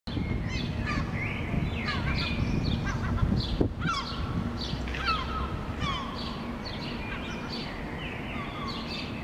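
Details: Agitated Herring Gull (Larus argentatus) flying above rooftops in Helsinki, Finland, in June 2013: harsh, repeated, downslurred cries in quick overlapping bursts over a steady low rumble of city noise.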